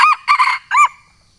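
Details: Junglefowl from Sumatra calling a rival, a sound used to lure wild junglefowl. Loud, harsh crow in three parts, the middle one longest and choppy, the last arched rising and falling, then silence.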